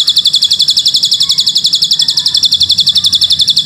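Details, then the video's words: A Javan sunbird (ciblek gunung) sings a very high, thin, rapid cililin-style trill of even pulses, about four per second, running without a break over only faint low background noise. "Ciblek Gunung Gacor|Full Tembakan Cililin Panjang"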